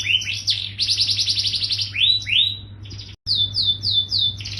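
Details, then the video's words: Yellow canary song of bright rising whistles and rapid chirp trills, then a short break followed by a series of clear upslurred notes; constant low hum in the background. "SUARA BURUNG KENARI GACOR KUNING"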